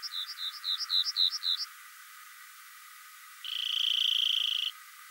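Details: Rock wren: a quick series of seven high, clipped two-part notes in about a second and a half, then a pause and one long, even, buzzy high trill lasting over a second; low sounds absent.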